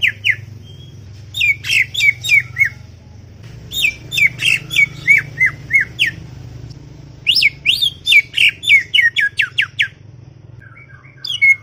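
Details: Chattering song of a greater green leafbird: three bursts of rapid, sharp falling notes, each burst several seconds long, with short pauses between them and a steady low hum underneath.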